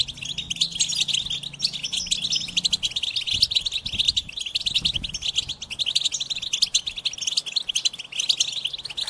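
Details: A goldfinch sings an energetic run of quick tinkling twitters and trills, over a faint low hum in the first few seconds and a few soft thumps.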